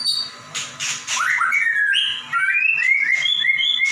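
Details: Caged white-rumped shama singing as a master song for other birds: a few harsh clicks, then a series of clear rising whistled notes repeated about three times a second.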